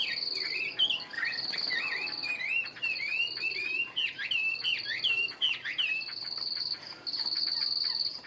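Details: Caged wild-caught Chinese hwamei of fighting type pours out quick repeated whistled slurs and chirps in a continuous varied phrase, over a steady high-pitched ringing buzz running through most of the recording.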